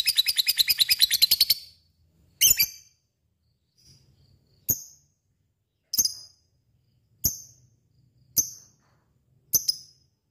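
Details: Lovebird opening with a brief fast rattling trill of about a dozen pulses, then falling to single sharp, clipped high chirps repeated about once a second; background otherwise still.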